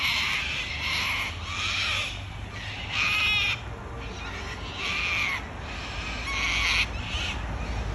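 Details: Wild Australian cockatoos giving harsh, grating screeches, several broad raspy calls in eight seconds, with a low rumble of background noise.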